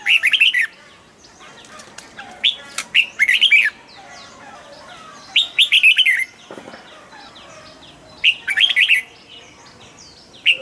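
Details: Red-whiskered bulbul kept in a cage, delivering repeated bright, bubbly warbled phrases of several quick notes each, roughly every two to three seconds, with scattered softer chirps and light rustling between them.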